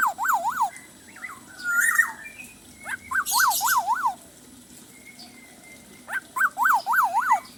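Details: Black-naped oriole singing energetically with a song rich in learned filler phrases: bursts of three or four rapidly wavering whistled notes, a few short slurred whistles and harsh higher bursts between them, with pauses of a second or more.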